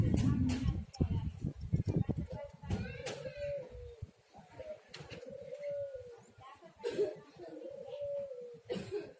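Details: Spotted dove lure call to prompt doves to sing: a noisy, clattering start, then a series of soft arched coos repeated every couple of seconds amid scattered clicks and rustling.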